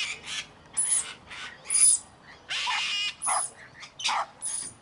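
Scarlet macaws give harsh, raspy screeches in bursts about every second, loud and grating with a broad, noisy tone.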